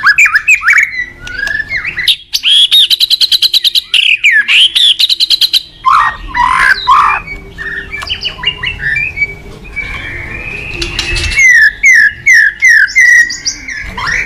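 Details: White-rumped shama, a cage bird, singing a full varied morning song used as a training lure: rapid rattling trills, scratchy bursts, then a run of quick repeated upward-swept whistles.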